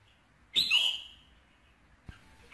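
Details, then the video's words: Recording for stimulating a male red-whiskered bulbul: one loud, clear whistled note with a downward slur lasting about half a second, followed later by a soft click amid quiet. "KÍCH SUNG CHÀO MÀO TRỐNG"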